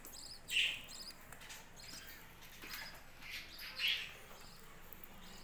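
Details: Budgerigar calls on a home budgie farm: two brighter, rasping chirps stand out, one near the start and one near the end, with fainter chatter between them over a low room hum.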